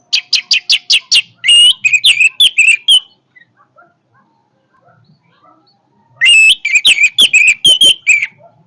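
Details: Orange-headed thrush singing forcefully: a rapid series of clipped chip notes running into loud slurred whistles, a pause of about three seconds, then another dense burst of sharp varied notes.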